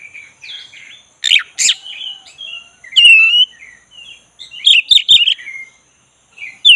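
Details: Black-breasted Oriental magpie-robin (kacer dada hitam) singing loudly after being provoked to sing, with varied whistled and chattering phrases, sharp downward notes and warbling bursts, broken by short pauses.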